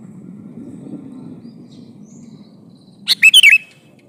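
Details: Male sooty-headed bulbul calling to a female, giving a single brisk phrase near the end: a sharp opening note, then rolling, warbled whistles, after a stretch of quiet low background hum.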